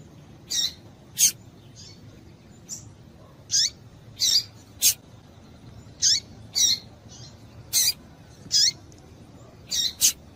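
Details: Calls of a female double-collared seedeater, used to rouse males for song tournaments: around fifteen short, piercing chips, several with a falling tail, repeated irregularly every half second to a second with a low steady hum behind.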